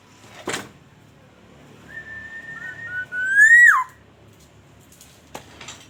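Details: Black-naped oriole, a lure recording from Aceh used to make other orioles call: a faint level whistle, then a loud fluty note rising slowly and dropping sharply at its end, with soft clicks before and after.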